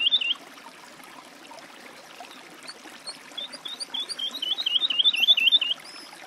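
A woodlark sings a high, liquid phrase, soft at first, then a fast run of rolling notes that speeds up into a sweet descending trill. Little else is heard.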